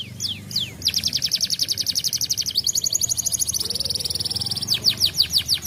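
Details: Canary singing to encourage other canaries to sing, opening with a few falling whistles, then long fast rattling trills that shift in pitch, and closing with descending swept notes.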